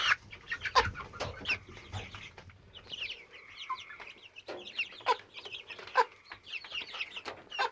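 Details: Hen aged 10 to 12 weeks, otherwise acting fine, repeating the constant sound she began on May 22, 2017: loud clicks and chirps early, then a sustained two-toned note with rapid high chirps over it.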